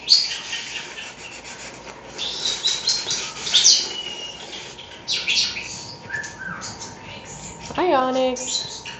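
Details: A pet rescue European starling talking while its owner scrubs a bird-bath fountain; bursts of high chattering, clicks and thin whistles, then a harmonic rising squeal, with splashing and scrubbing noise.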